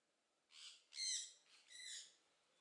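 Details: Captive Southern screamer at a bird park in Upie, Drôme, France, giving loud harsh harmonic calls: two short bursts followed by two longer, stronger notes within about two seconds.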